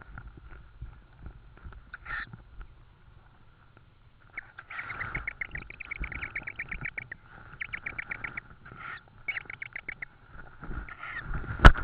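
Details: Evening food delivery of an insect at a tawny owl nest in Estonia, 4 May 2013: after a quiet start, quick series of scratchy repeated notes in several bursts, ending with a sharp click.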